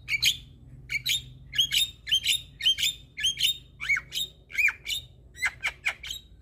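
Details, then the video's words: Javan myna song aimed at getting a sulking myna to call back: a regular series of sharp, high, clipped whistles and squeaks, some sliding down then up, repeated roughly twice a second, very little background. "Jalak Kebo Stres MAlas Bunyi Langsung Nyaut Dengar Suara Burung Jalak Kebo Ini"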